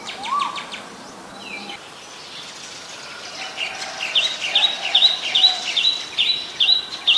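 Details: Adult Chestnut-headed bee-eater calling in Ubon Ratchathani, Thailand, on January 4, 2020: a few scattered chirps first, then a rapid run of short, high, trilled notes, about two each second, growing louder. Fainter birds call behind it.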